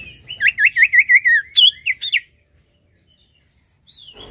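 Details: Sirtu in vigorous song, rattling off a rapid run of wavering, buzzy-edged whistled notes, roughly three per second, ending in a higher flourish, then a pause of silence with one thin rising whistle near the end.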